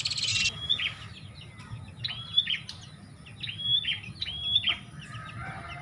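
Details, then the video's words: Bar-winged prinia lure call for attracting birds, from Indonesia: sharp high notes, each dropping in a downward sweep, repeated about every second in uneven bursts, over a low background rumble and faint other chirps. "Suara Pikat Burung Prenjak"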